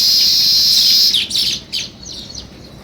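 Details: Dense high sparrow chirping that holds steady, then cuts off into a few fading separate chirps.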